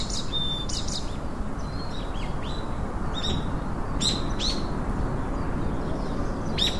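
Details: Chopi blackbird singing: bursts of sharp, high chirps and short clear whistles in clusters every second or so, over a constant low rumble of background noise.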